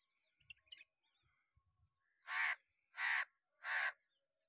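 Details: Crow calling three harsh, rasping caws in an even series about 0.7 seconds apart, preceded by soft scattered chirps and low thumps.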